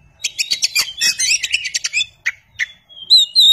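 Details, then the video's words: An Oriental magpie-robin (kacer) gives a rapid, jumbled run of high chirps and scratchy notes, then pauses before two clear whistled phrases. "kacer (oriental magpie robin)"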